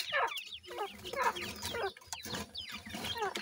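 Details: Group of grey francolin chicks feeding and playing: loud, clear downward-sliding chirps repeated about once a second and overlapping between birds, over a low rumbling background with soft scuffling.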